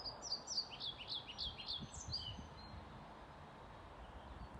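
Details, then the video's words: Male-style full song of a European pied flycatcher at a retirement home in Sundsvall, recorded 15 May 2019: quick high sweeping whistles repeated for nearly three seconds, then quiet with faint low rumbling and distant noise. "Svartvit flugsnappare sjunger"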